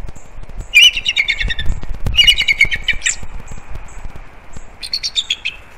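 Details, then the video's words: Alarmed bald eagles calling at something near their Captiva/Sanibel Island, Florida nest on a December 2021 morning: high, rapid chittering phrases that fall in pitch, set against a low rumbling background and faint steady noise. "Captiva Eagle Cam - Connie Still on Alert. Her and Clive Go After Something"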